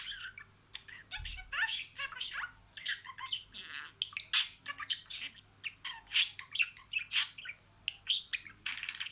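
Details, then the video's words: Budgerigar kept as a pet, speaking a run of words. Fast, gravelly warbling babble of clipped syllables and sharp chirps, rising and falling in loudness, with one soft low thump. "SIRALI KELİMELER, MUHABBETKUŞU SESİ,MUHABBETKUŞU KONUŞMA SESİ DİNLE"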